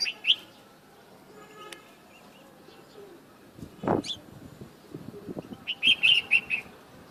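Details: A bulbul singing outdoors in nature in the morning gives a single bright chirp, then after a pause a quick run of five or six liquid, bubbly notes; a few soft knocks in between.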